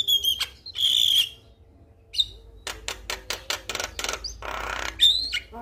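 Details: Male Javan myna in full song to set other mynas singing, mixing pure whistled notes, harsh rasping bursts and a fast series of dry clicks, with a steady low hum throughout.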